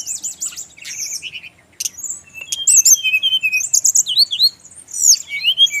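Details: Varied song of a Brown-chested jungle flycatcher, Bali, meant to get other birds of its kind to reply. It mixes high warbled whistles with rapid twittering notes and lower slurred phrases, after a brief quiet gap early on.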